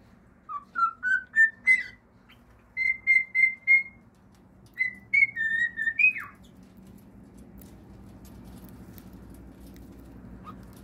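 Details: Cockatiel singing: a run of clear whistled notes rising stepwise, then a group of four level whistles and another short phrase ending in an upward sweep, followed by a few seconds of quiet room hum.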